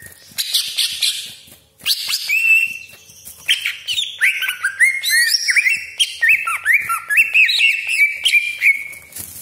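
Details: Greater green leafbird singing as a lure bird for other leafbirds, opening with harsh scratchy chatter, then after a brief pause a long rapid stream of bright whistles, trills and slurred mimicking phrases with rough rasps mixed in.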